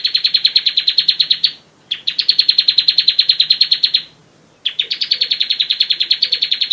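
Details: Bar-winged prinia singing as a master bird for training: three long trills of rapid, high chirps, each a couple of seconds, with short gaps between them.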